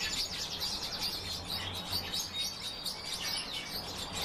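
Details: European bee-eaters calling together, short high chirping notes overlapping in a steady busy chorus, with a low continuous hum underneath.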